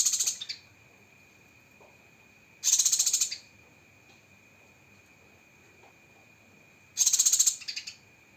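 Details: Cucak kinoi 'tembakan' phrasing: repeated high, rattling, rapidly pulsed bursts roughly every four seconds, one ending in a short stutter, over a steady faint background tone.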